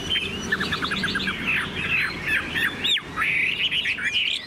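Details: Chinese hwamei, a tame caged songbird, delivers a quick run of repeated short notes, then loud looping and rising whistles in a rich, varied song over faint background noise.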